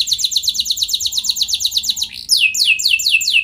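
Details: Canary lure song prompting other canaries to sing long rolls: a fast trill of sweeping notes, then slower, louder downward-slurred whistles repeated about three per second.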